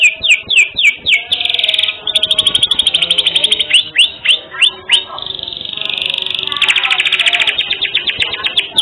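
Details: Singing canary with distinctive song phrasing, intended to tutor other birds: bursts of rising chirps repeated about twice a second, alternating with long rapid rattling trills.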